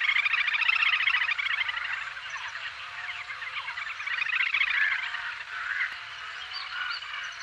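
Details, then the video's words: Little grebe calling with a rapid, high, pulsed whinnying trill that runs almost continuously, swelling and fading in loudness, with a steady faint background hum. "Little Grebe Bird Call"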